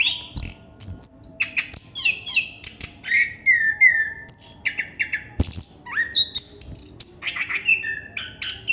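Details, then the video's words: Plontang or chestnut-capped thrush in extended rolling song: mixed high piercing notes, buzzy mid-pitched phrases and quick downward slurs, repeated in bursts roughly every half second to second, faint hum beneath. "Burung Anis kembang / Plontang Ngerol Non stop durasi panjang"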